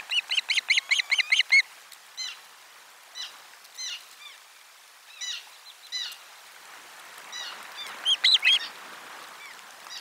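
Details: Osprey on nest camera 4, 12 July 2022, lunch fish being delivered: a fast run of about ten loud piping chirps, then spaced softer whistles and a final excited cluster of notes.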